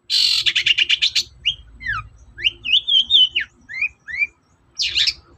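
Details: Long-tailed shrike (cendet) morning song played to make other shrikes sing: a fast harsh rattle, then varied slurred whistles and a wavering warble, ending with a short harsh burst; faint low hum behind.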